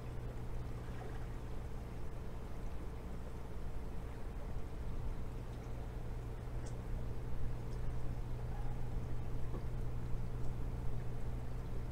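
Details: A steady low hum and rumbling, like water or a boat motor, continues throughout with no animal sound.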